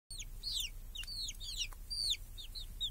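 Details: Chicks with hens in a village, grazing under a protective cage against crows and hawks on a clear summer day; repeated high, downward-arching cheeps overlap in quick succession, with two sharp clicks and a low rural hum.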